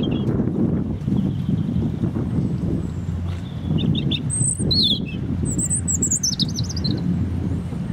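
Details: European robin singing in Hope Park, Keswick, Cumbria: two bursts of high, thin, tumbling warbled phrases around the middle and end, over a steady low rumble of background noise.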